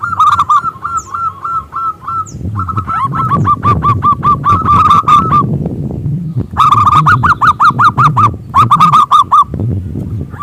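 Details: Local Indonesian zebra dove with a big, strong voice, used as a lure to get other doves singing: rolling cooing phrases of quick repeated notes, then pauses and further trilled bursts, over a steady low rumbling background noise.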